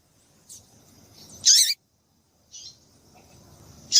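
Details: Female double-collared seedeater calling to stimulate males to sing: two loud, sharp, high chirps with a rapid downward sweep, preceded and followed by fainter short high chips, separated by brief abrupt silences.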